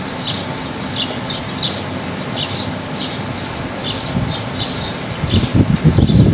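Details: Lively high chirping from wild birds among trees on a fine day, short sliding notes repeated about three times a second in loose clusters. Wind stays soft, then gusts loudly near the end.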